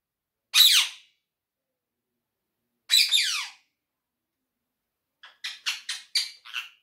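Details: Quaker parrot (monk parakeet) kept as a talking pet gives two loud harsh descending squawks several seconds apart, then a quick series of about six clipped chattering notes.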